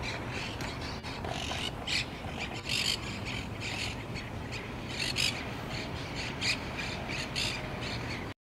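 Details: Several monk parakeets (Myiopsitta monachus) at the Green-Wood Cemetery Arch on 1 February 2014 give harsh, grating squawks in steady overlapping chatter over a low background hum.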